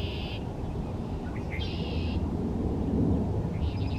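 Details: Red-winged blackbird at Cliffwood Beach, New Jersey, among many there that day, giving three short, buzzy, high trills about half a second each, spaced every second or two over a steady low rumble of wind or surf.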